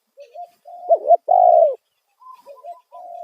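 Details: Spotted dove calling as a lure to draw wild birds: soft lead-in coos, then a loud wavering coo and a long drawn-out coo, followed by quieter coos from a farther dove.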